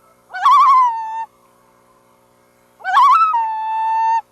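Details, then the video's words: Loon calling over a quiet, still background: two calls about two and a half seconds apart, each opening with a rapid wavering quaver and settling into a held, steady mid-pitched note. "Loons. Relax to loon calls"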